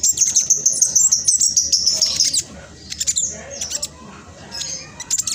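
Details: Black sunbird of the spotted trotol type, played to coax reluctant birds to sing: a long, sustained high thin whistled trill for two seconds, then scattered sharp high chips and short twittering bursts.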